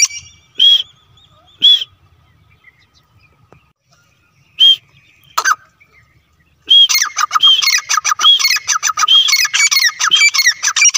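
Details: Grey francolin pair calling: spaced loud ringing notes, then a dense burst of rapid, harsh repeated calls from about seven seconds on.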